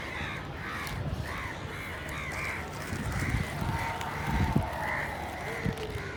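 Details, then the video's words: A steady run of rasping crow caws, roughly two per second, joined midway by a drawn-out, gently falling lower tone, all over a constant low hum. "Loud Crow Noises, Kak Pakhi Sound, Kauwa Ki Awaaz, Kakkar Dak"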